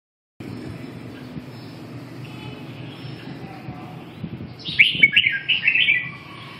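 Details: Red-whiskered bulbul singing a short burst of bright, warbled notes around two to four kilohertz after a stretch of steady low background hum.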